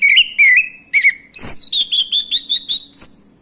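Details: Male orange-headed thrush song used as a lure to get other birds singing: varied whistled phrases, first lower slurred notes, then a rapid series of bright, rising whistles repeated about every quarter second, with a constant high cricket-like tone behind.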